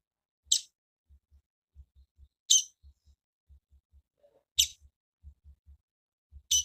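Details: Female double-collared seedeater calling. A short, sharp high chip repeats about every two seconds, four in all, with soft low thumps ticking between them.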